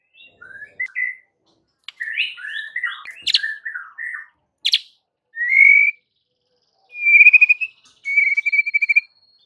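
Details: White-rumped shama provocation song meant to make rivals rage: jumbled warbled phrases and clicks, then three long, loud, pure whistles, the last two steady and level.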